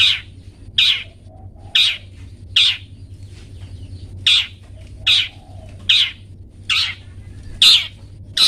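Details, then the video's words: Long-tailed shrike, recorded for training pet birds: eleven loud, grating, harsh notes repeated at a steady pace, nearly one every 0.8 seconds, with a faint low hum beneath. "Cendet toet toet Cocok Untuk Masteran Cendet macet"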